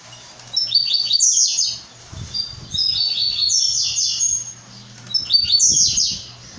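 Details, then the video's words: Brown-plumaged blue-black grassquit repeating its high, buzzy, sputtering phrase three times, about every two seconds. Each phrase is a burst of rapid slurred notes. A low hum and faint clicks are in the background. "Tiziu pardo SUPER MONSTROOOO"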